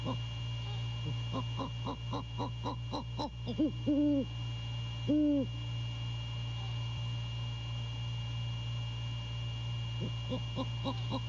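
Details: Male great horned owl hooting at 1:24 AM on 6 January 2022, caught by a nest camera near Savannah. Two deep, level hoots about a second apart cut through a run of quick, low pulsed notes, with steady background hum.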